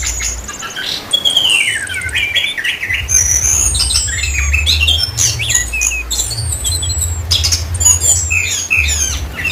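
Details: Orange-headed thrush singing energetically from Indonesia: varied high whistles, sweeping slurs and twittering phrases in quick succession, some notes very high and thin, over a steady low hum.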